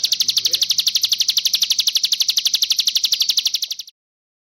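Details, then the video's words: Sunda warbler (ciblek gunung) song used as a tutor recording for newly caught birds, one of six song variants: a fast, very regular series of high, sharp chirps, about four per second, lasting nearly four seconds, then silence. "Ciblek Gunung (CIGUN) Masteran Burung Bahan -- 6 VARIAN SUARA YG BELUM KAMU KETAHUI"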